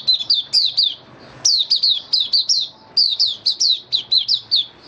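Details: Kept white-eye singing on 23 March 2022, with its nutrition adjusted for warm humid weather; a lively run of sharp, high, downslurred chirps repeated about three per second in three clustered bursts, with brief quiet gaps.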